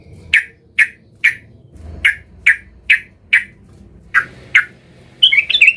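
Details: Agitated yellow-vented bulbul looking for a rival, used to provoke other bulbuls. Repeated sharp chirps roughly every half second over soft background noise, ending in a brief jumbled twittering burst.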